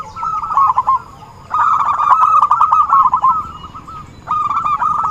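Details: Zebra dove song used as a trapping lure: three bursts of fast, rattling coo notes separated by short quiet pauses, the middle burst longest and loudest.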